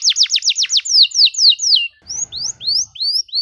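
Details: Canary in full song, used as a long-duration model for young canaries learning to sing: rapid series of sharp descending whistled notes about five per second, a brief pause, then rising sweeping whistles repeated quickly.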